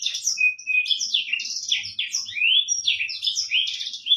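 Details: Black-throated canary, a bird used as a song tutor, delivering a continuous rapid song of varied chirps, trills and short whistled slurs, with a sustained whistled note early on, phrases packed closely over four seconds.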